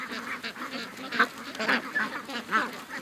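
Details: Over 700 ducks and geese on their morning rush to the lake, August 6th, 2015; a blurred chorus of many nasal calls overlapping, with a few louder quacks standing out roughly every half second.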